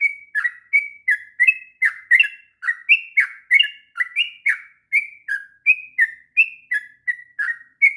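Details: Sooty-headed bulbul in continuous ngropel song, recorded as a training master for young bulbuls: crisp, bubbling whistled notes repeated more than once a second, slightly varied in pitch, uninterrupted for the whole stretch.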